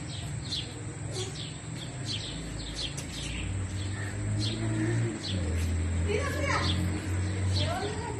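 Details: House sparrow chicks with a feeding mother: a dense stream of thin, descending chirps, three to four per second, with a low engine-like drone underneath.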